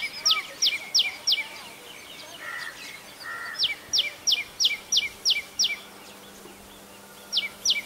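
Common tailorbird giving loud, sharp, high notes about three per second in runs of four and six. Two lower, harsher notes, probably another bird, fall between runs.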